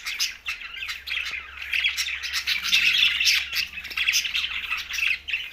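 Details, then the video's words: Green budgerigars chirp in quick irregular bursts, nearly four per second, bright scratchy notes over faint low background hum. "Green Budgies Talking"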